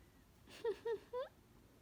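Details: Male Indian ringneck parakeet kept as a pet, laughing at being given a hat: three short nasal 'ha' notes, the first two falling and the last rising, over a quiet indoor background.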